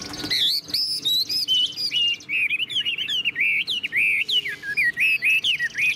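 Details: Tame caged Chinese hwamei singing with tail fanned, in the long high 'ngũ trường' style: loud, fast run of varied whistled phrases, sliding notes and quick trills, nearly continuous for six seconds.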